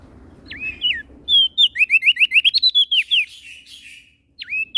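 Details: Prenjak daun, a prinia from Lombok in NTB, singing actively: a clipped whistled note, then a fast rattling series of about fourteen high twisting notes, ending with another sharp whistle.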